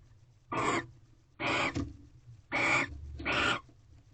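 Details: Mating barn owls at their nest box on a February 2023 night, a mouse just delivered; four loud, breathy screech-hisses in quick succession, each under half a second, the second with a brief doubled tail.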